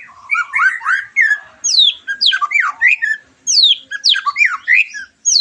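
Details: White-rumped shama song used to stimulate a bird after moulting; loud steep descending whistles alternating with lower rising notes and raspy overtones, delivered in quick succession with short gaps.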